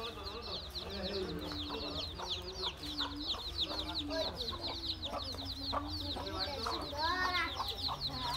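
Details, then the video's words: Mother hen among her baby chicks, 13 January 2017: many chicks peep nonstop in thin high notes while the hen gives a drawn-out low purring cluck and softer grunts, with low background rumble. "Hen with her Baby Chicks."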